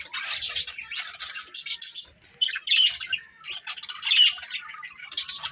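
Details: Colourful pet budgies chirp in short, rasping bursts of high chatter separated by brief gaps, with the flock pausing briefly about halfway through.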